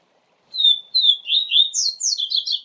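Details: A double-collared seedeater sings the tui tui zel zel teaching song for young birds: four rich whistled downslurs followed by rapid, high, buzzy twittering phrases, with a clean quiet background.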